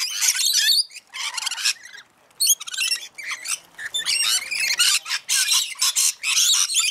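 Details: Feeding flock of rainbow lorikeets chattering with dense, grating high-pitched squawks and chirps, nearly continuous with brief gaps.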